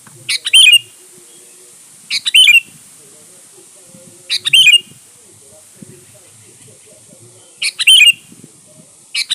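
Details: Sooty-headed bulbul singing in a lively lure recording meant to draw other birds: short bubbly phrases sliding down to a bright note, repeated four times roughly every two seconds, with faint low background rumble.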